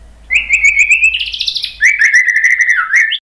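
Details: White-rumped shama (murai batu) song used as a prompt to get a stressed, silent bird to answer and sing: a loud, rich warbled whistle with a brief buzzy, rising middle, then a long run of fast varied notes near the same pitch.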